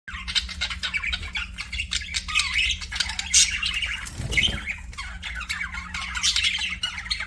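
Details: Budgies chirping together, a busy flock chatter of warbling, scratchy chirps and short whistles, continuous and overlapping, over a steady low electrical hum and a brief thud midway.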